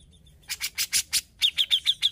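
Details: Grey-cheeked bulbul singing actively: a series of harsh, noisy rasps, then five clear, sharp high notes delivered rapidly and evenly.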